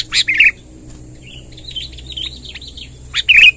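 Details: Sooty-headed bulbul, long rolling song used to attract wild birds: bright bubbly notes at the start and end, softer wavering warbles between, over a constant faint high hiss.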